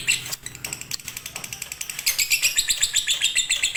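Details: Fighter lovebird in konslet style, a master song for lazy singers: sharp scratchy notes at first, then a loud rhythmic run of high chattering notes about four per second.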